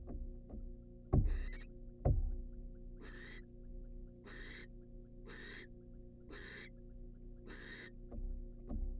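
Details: Wild female barn owl taking a rat from the male inside a nest box: loud knocks and thuds, then a steady series of six raspy screeches about one second apart, over low hum.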